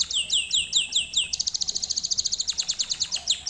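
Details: Lesson song for canaries: six slow, curving down-swept whistles, then an accelerating run of short bright chips that breaks into a slightly slower repeated phrase.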